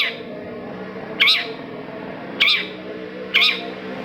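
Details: Long-tailed shrike, played to stimulate silent shrikes into singing, gives three short harsh squawky calls over a steady indoor hum, spaced about one second apart.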